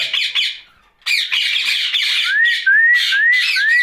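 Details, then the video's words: Rose-ringed parakeet heard at night, talking: a few harsh squawks, a short silence, then steady raspy chatter overlaid by four upward-sliding whistles repeated roughly every half second. "Night Talking parrot Mitthu Ringneck"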